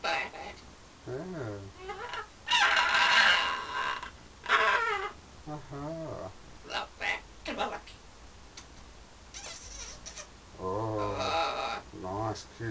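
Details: Parrot indoors in London, flirting with its mirror image and birds outside: busy run of speech-like harmonic chatter, wavering whistles and harsh noisy squawks in quick, irregular succession.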